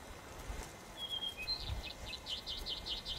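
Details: Male blue-and-white flycatcher singing in early morning on the Bikin River, Northern Ussuriland, Russian Far East, in early May 1997, just arrived. It gives clear high whistles, then a quick run of repeated looping notes against faint background hiss.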